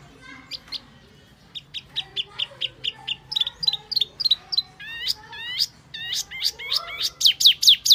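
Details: Wambi lure call used to attract birds: scattered high chirps grow into a lively, uneven series of sharp notes and hooked whistles that becomes louder and denser toward the end.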